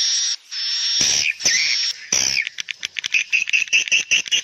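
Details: Swiftlet sound for calling young birds: a steady, hissy high buzzing broken by short gaps, then a quick sequence of sharp, clipped chirps that grow spaced and rhythmic.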